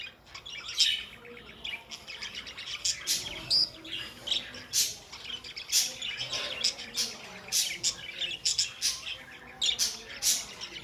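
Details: Pet budgerigars chattering: a dense run of short, high, rapid chirps and warbled tweets that come in bursts throughout, with brief squeaky notes and no other clear sounds.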